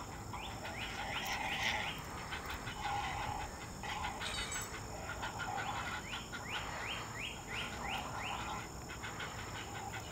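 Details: Young great blue herons at a morning feeding while an adult looks on give rapid runs of harsh, rising clacking calls in bursts over a steady hiss, with wing flapping, possibly sibling rivalry over food.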